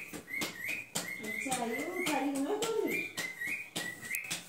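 A cockatiel repeats short, bright upward whistles in quick succession, with a lower wavering voice-like sound midway.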